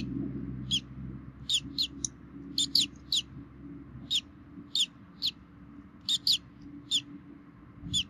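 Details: Minnesota bald eagle nest, 3 May 2016, both parents feeding the chicks; an even run of sharp, high squeaky chirps, often doubled, spaced under a second apart, with faint low background noise.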